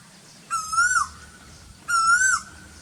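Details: An Asian koel in very hot season gives two clear, whistled 'koo-oo' notes, each rising slightly, about one and a half seconds apart, over a faint low hum.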